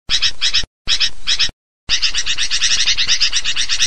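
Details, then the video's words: A sooty-headed bulbul gives noisy, scratchy chattering, rapid runs of bright notes in dense bursts broken by brief silences, used as a lure call to draw bulbuls in. "suara pikat kutilang ribut"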